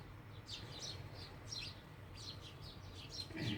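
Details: Excited, overlapping house sparrow chirps come in uneven bursts of high, sharp notes, with a low rumble and a louder noise at the very end.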